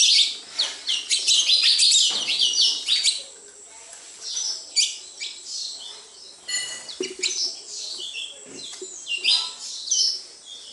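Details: Sparrows at a house opening with an intense flurry of loud, overlapping chirps that thins into scattered single cheeps and short twittering bursts.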